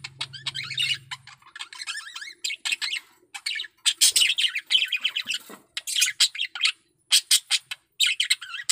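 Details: A male budgie in breeding condition sings a continuous, busy chatter of buzzy, twisting notes and sharp chirps, grouped in quick bursts.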